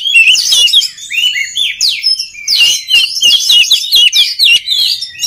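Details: Oriental magpie-robin song for training other magpie-robins: a busy, energetic string of chirps, rising and falling whistles and buzzy notes, almost continuous with brief gaps.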